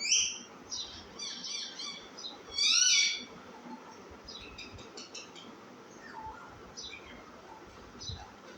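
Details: Baby parrot letting out one loud rasping screech among a scatter of softer, higher chirps and squeaky notes.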